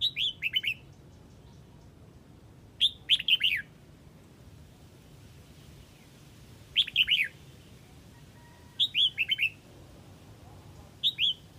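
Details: Huế red-whiskered bulbul calling its flock: short, lively phrases of two to four slurred whistled notes repeated roughly every two to four seconds, with a quiet hum underneath.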